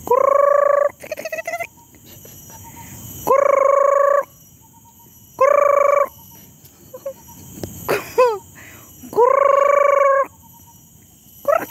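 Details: Red junglefowl at the Singapore Botanic Gardens gives four loud, even, harsh calls about a second long, spaced a few seconds apart, with quick chirps and downslurred notes from other birds in the gaps.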